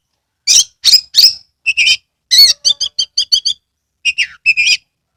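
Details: Oriental magpie-robin recorded in Kebumen, Central Java, song delivered with tail open: loud scratchy notes, then a fast even string of clipped chirps, a pause, and a few final chattering phrases.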